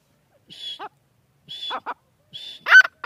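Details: Grey francolin (teetar) producing short high whistled notes followed by falling, stuttering clucks, three spaced phrases over three seconds, ending with louder harsh bursts.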